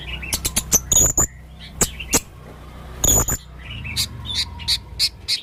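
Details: Male blue-crowned hanging parrot singing actively with many unusual sounds: thin high squeaky chirps and sharp whistled notes mixed with short harsh bursts, delivered in quick irregular clusters with brief pauses.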